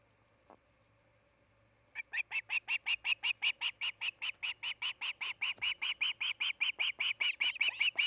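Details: Osprey at its Montana nest near Charlo, filmed by nest cam on 8 August 2018 in the afternoon; after quiet, a sustained series of over thirty high, sharp whistled yelps, rapid and regular, lasting six seconds.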